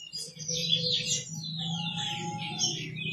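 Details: Great-billed seed finch of the Goiano pardo type giving a continuous rich warble of looping, gliding whistled notes, with a faint steady tone and a low hum underneath.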